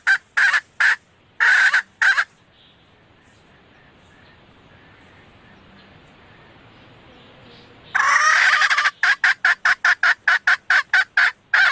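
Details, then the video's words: Female red junglefowl lure call to attract males: a few loud harsh clucks, a quiet stretch of faint background noise, then a rapid burst of about a dozen short clucks. "suara ayam hutan betina merah asli/The sound of the original red female jungle fowl"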